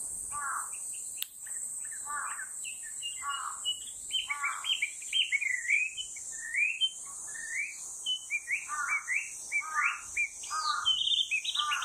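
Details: Chinese hwamei (Garrulax canorus) singing on 7 August 2020: a loud, rich run of varied whistled phrases, slurred up and down, about one per second, over a steady high insect drone.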